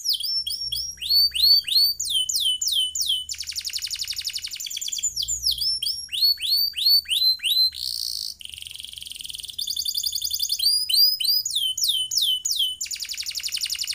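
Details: Canary in full song, used as a singing tutor for all kinds of birds: alternating high whistled swoops, rapid buzzy rolls and trills, continuing without pause. There is a faint low hum.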